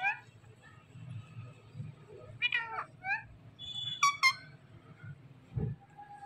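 Several ringneck parrots give scattered harsh, nasal squawks, with two quick screechy bursts, over a steady low hum.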